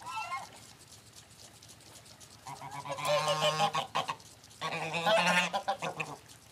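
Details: Morning honking from geese let out of their sleeping barn: after a quiet start, two loud clusters of harsh, overlapping honks in quick succession.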